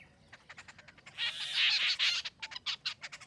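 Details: Jungle babbler giving a harsh, rasping chatter: short scratchy notes build into a loud, dense burst midway, then break into quick separate rasps.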